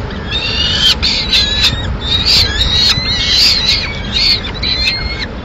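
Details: Madrid nest of peregrine falcons, 21 May 2016, with the female feeding pigeon to the two chicks. Rapid series of short, piercing squealing notes, several per second, over a low background rumble.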